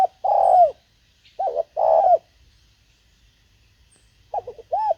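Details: Deep, mellow coos from a Spotted Dove used as a decoy to attract wild birds: a long falling note, a short hoot, another long note, then a pause before clipped notes resume.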